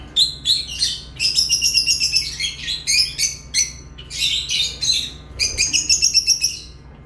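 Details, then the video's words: Lovebird chirps: rapid series of sharp, high, buzzy tweets, several per second in quick bursts separated by brief gaps, over a faint low hum. "Love birds chirping sounds"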